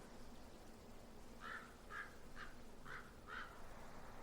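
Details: A distant common raven in a snowy valley bottom in mid-winter, possibly near an animal carcass, gives five short, hoarse croaks about every half second over a steady low rumble of wind.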